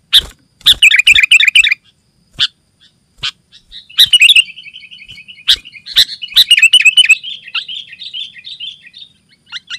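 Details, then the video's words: Sooty-headed bulbul song for calling other bulbuls and tutoring birds: an opening burst of chattering chirps, scattered single notes, then a long bubbling, wavering phrase with thin trailing tones. "Suara Burung Kutilang Gacor Rapat Menekan Lawan"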